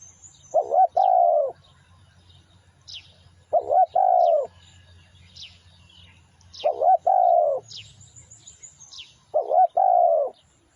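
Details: A spotted dove, used as a lure, repeats its throaty two-part coo four times at intervals of roughly three seconds. Sharp high bird chirps and a low steady hum run underneath.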